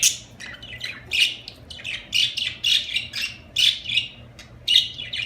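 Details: Loud budgerigar chirping: a rhythmic series of bright, buzzy chirps and squawky notes, arriving roughly every half second to second, filling the clip.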